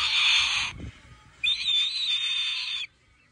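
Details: A cockatoo that lives with an eagle imitates the eagle's cry: two shrill, raspy high whistles, one brief and one about a second and a half long.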